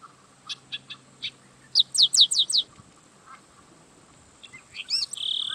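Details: Song of a yellow-winged blackbird: several spaced short chips, then a fast sequence of five bright, high, downward-sweeping notes, followed by a rising squeak and a drawn-out buzzy ending.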